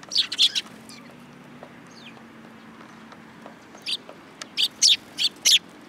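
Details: Young sparrows that climb onto a person's hand at a Tenmangu shrine in Japan, filmed 2 July 2022: a quick cluster of sharp high chirps, a pause, then five or six spaced bright chirps.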